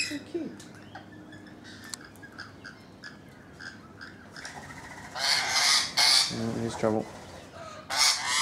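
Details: Rainbow lorikeets on a balcony, about thirteen present, burst into harsh, grating screeches after a quiet start, several loud rasping bursts in under two seconds, then one more; faint background murmur.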